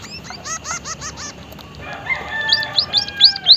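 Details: White-headed munia (Lonchura maja), locally emprit haji, calling lively with strange sounds: a quick run of six harmonic buzzy notes, a pause, then thin high rising whistles repeated about every quarter second over faint background hiss.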